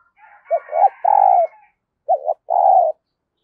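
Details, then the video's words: Spotted dove decoy calling new wild birds with repeated coos: a three-part phrase, then a two-note one ending in a long even hoot, a faint whistle in the background. "Tiếng Chim Cu Mồi THÚC và GÁY GỌI Bổi Mới, Mở Là Gáy"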